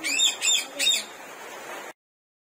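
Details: Alexandrine parakeet, natural sound: three rasping, harmonic squawks in steady succession about every third of a second, followed by a brief hissy background before the sound cuts off.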